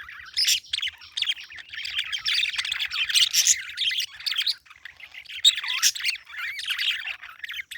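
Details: Parakeet chirping in a dense, continuous chatter of short squeaky notes and warbled trills, with occasional louder sharp squawks and brief pauses.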